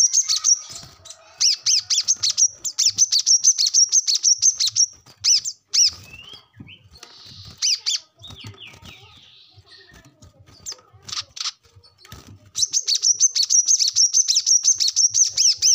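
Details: Brown-throated sunbird in energetic 'gacor ngobra' song, used to prompt captive birds to answer: bursts of rapid, high, thin chipping notes in long even runs, broken by a quieter mid-section of scattered chips and short warbles.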